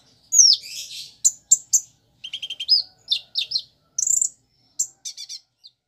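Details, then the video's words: Crimson sunbird, known locally as kolibri ninja, in full song mixed with borrowed prinia, sparrow and chick notes: rapid high-pitched jumble of slurred whistles, ticking rattles and short buzzy trills in quick succession, clear with no other sounds. "Kolibri Ninja (Konin) Gacor Isian Ciblek, Gereja, Anak Ayam"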